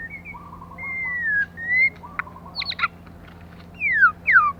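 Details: White-rumped shama female, kept caged and used to stimulate males, sings long drawn whistles and short trilled notes, then sharp falling slurs near the end; a low steady hum in the background.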